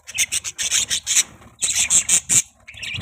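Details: Budgerigars giving what is described as a mating call: harsh, raspy chirps in quick bursts, about one every half second, with a brief pause midway before the chatter resumes, ending in a softer, higher twitter.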